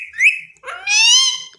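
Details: Pet rose-ringed (ringneck) parakeet talking, imitating human speech indoors: a short rising whistled note, then a drawn-out, voice-like harmonic syllable, with people speaking Hindi around it.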